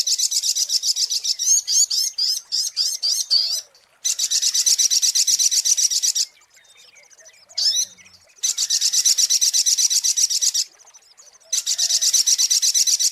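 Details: Sunbird (sogok ontong) from a lure recording: starts with quick, high, squeaky warbled chirps, then long stretches of very fast buzzy trilling broken by short silences and one sharp chirp.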